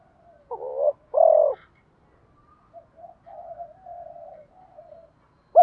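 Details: Spotted dove decoy cooing to stimulate wild-caught doves: two loud rough low coos early, followed by softer, drawn-out muffled coo notes and a final sharp note.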